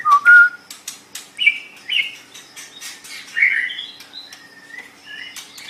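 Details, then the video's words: White-rumped shama song serving as training material for other songbirds. Opens with loud clear whistles, then fainter scattered chirps and short whistled notes with clicking sounds. "Ocehan Burung Murai Batu"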